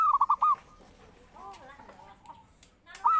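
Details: Zebra dove song for luring and training birds: a rolling phrase of a long note and quick coos opens the recording, then soft warbling from other birds, and a fresh phrase begins just at the end.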